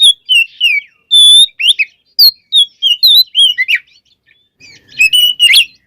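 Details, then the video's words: White-rumped shama song, played to make other shamas sing: clear ringing whistles and slurred notes in varied phrases, a brief pause, then a burst of high sharp notes. "Suara Burung Kacer Gacor Full Isian, Pancingan Kacer Agar Cepat Emosi"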